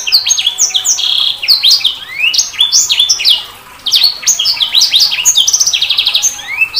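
Sanger bird in a fast, continuous, high-pitched warble of sweeping whistles, chirps and rapid buzzy trills, with only a brief pause midway.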